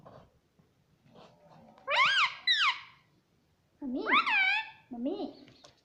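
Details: Pet Indian ringneck parakeet talking indoors, repeating the words "mummy" and "mitthu" in clear rising and falling whistled syllables, in short bursts separated by pauses.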